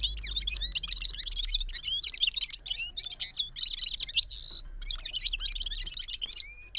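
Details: Gulsar bulbul performing rolling balkashal song: dense chattering trills and quick up-and-down whistled notes pour out almost without pause. Near the end come a few rising clear whistles.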